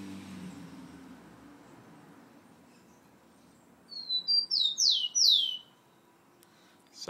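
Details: A captive rufous-collared sparrow singing at home, aggressive toward the camera, gives one brief, high phrase of sweet, slurred, down-sweeping whistles lasting under two seconds, after a quiet stretch with faint low background hum.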